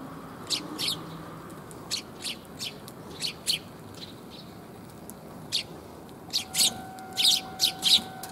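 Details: Sparrows gathering to be fed on 5 December 2021, on the way there: scattered high chirps every second or so, growing denser and louder toward the end, with a faint steady tone underneath.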